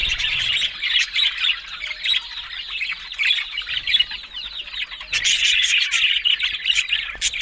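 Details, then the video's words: Several budgerigars warble and chirp in overlapping bursts. The chatter softens in the middle, then swells again into loud, dense squawking near the end. "Beautiful Talking Budgies Australian Parrot Sounds"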